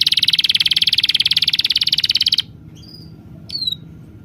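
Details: A small bird gives a rapid, buzzy high trill for over two seconds. It stops abruptly and is followed by a few short, separate whistled chirps.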